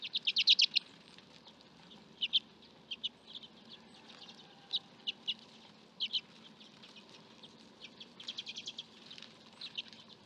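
Common redpoll giving bursts of dry, high chattering trills, clusters of quick notes repeated every second or two, over a faint low hum.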